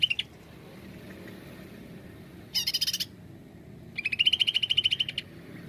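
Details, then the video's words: Greater green leafbird singing in the 'nembak' style for a lure: a brief note, then a harsh stuttering burst, then a longer run of quick high chips rising slightly in pitch. A faint low hum continues throughout. "Cucak ijo nembak"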